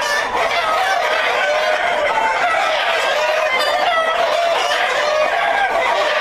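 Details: Breeding flock of Black Jersey Giant chickens, a heavy breed from New Jersey kept for hatching eggs; continuous chorus of overlapping clucks and drawn-out squawks from several hens and roosters, with occasional crowing tones.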